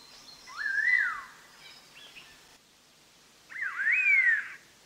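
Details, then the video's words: Black-hooded laughingthrush song from a trapping lure recording: a wavering whistled phrase that slides down, then after a short break a louder, richer phrase rising to a bright peak and dropping, over a soft hiss. "Chim Khướu đầu đen má xám hót hay"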